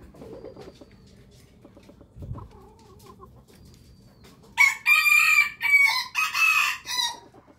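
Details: Rooster crowing in the morning, preceded by faint scattered background noises; a loud, shrill crow then arrives in several broken, high-pitched segments over nearly three seconds.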